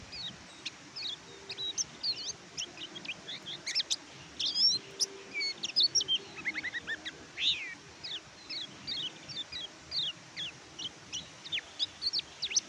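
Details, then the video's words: Oriental white-eye (kecial kuning), song for training reluctant caged birds: a steady stream of thin, high twittering chirps and downslurred notes continuing through the whole stretch, with a soft hum beneath. "BURUNG KECIAL KUNING MACET BUNYI PAKAI MASTERAN INI"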